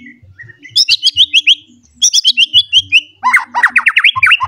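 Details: An agitated white-rumped shama seeking a rival sings repeated bursts of fast high whistled notes, then a lower run of rapid zigzag notes, over faint low knocking sounds.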